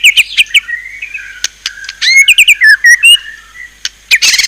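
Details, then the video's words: White-rumped shama with a fierce 'isian' fill song, mixing sharp high notes, a drawn-out soft whistle, a quick burst of slurred whistles and a closing harsh chatter, with clicks between phrases. "ISIAN MEWAH MURAI BATU_PALING TOP SUARA SANGAR"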